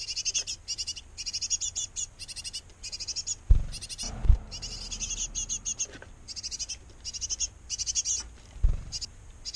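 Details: Nest box of a great tit pair caring for nestlings: groups of fast, piercing chirps repeat about once per second, punctuated by several loud low thumps and knocks.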